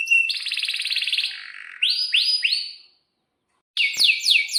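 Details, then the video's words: Canary in breeding condition, sung as a lure for young canaries: a buzzy high roll, three swooping whistled notes, a pause, then a burst of rapid sweeping chirps. "kenari gacor panjang buat pancingan kenari paud belajar bunyi agar NYAUT"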